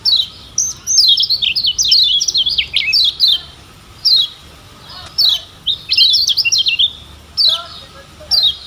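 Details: Lombok lemon-bellied white-eye (Zosterops chloris) song: rapid, high twittering bursts of sweet chirps and trills in phrases of about a second with short pauses, a faint low call underneath; used as a tutor recording.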